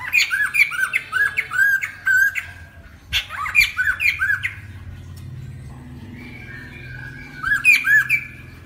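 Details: Song of a lesser necklaced laughingthrush, used for trapping birds: bursts of rapid, looping whistled notes with rough edges, broken by a pause with a low steady hum, then a closing burst.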